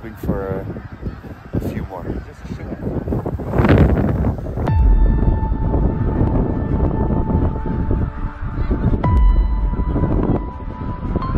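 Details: Snow geese in a flock during the annual migration give harsh, harmonic honks that overlap in a quick series over the first four seconds. Wind rumbles underneath, and after that steady music tones take over.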